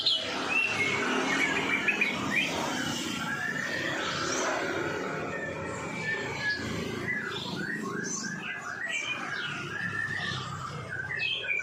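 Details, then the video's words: White-rumped shama song for training cage birds, in the 'epek sauna kering' style: a busy stream of varied whistled phrases, rising and falling slurs and short chirps, running continuously at mid to high pitch with a faint low hum beneath. "murai batu epek sauna kering"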